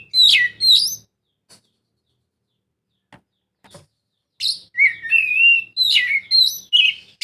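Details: Oriental magpie-robin song played as a lure to get reluctant birds singing: quick bright chirps open, then a quiet pause with faint ticks, followed by a lively run of varied high whistles, slurred notes and sharp twitters.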